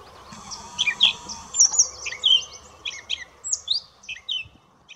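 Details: Gray catbird singing at St George Marsh, Charlotte County, New Brunswick, on May 20, 2016: a jumbled run of varied squeaky, chirpy and mewing high notes in quick short phrases, over a faint low background rumble.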